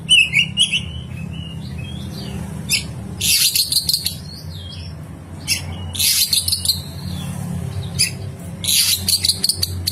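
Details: Oriental magpie-robin giving rough fill-in song used to train other birds. Bursts of harsh, scratchy high notes mixed with thin whistles, over a steady low hum.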